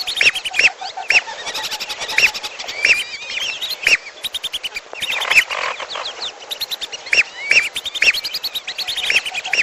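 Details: Mixed trapping lure of lesser whistling ducks and piolo birds: long stretch of rapid high twittering whistles from a flock, with strong arched notes recurring every second or so.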